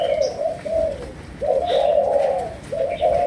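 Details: Spotted dove of Malaysian stock in sấm đồng style cooing. Long, warbling low coos run in near-continuous phrases, with brief high chirps from other small birds in the background.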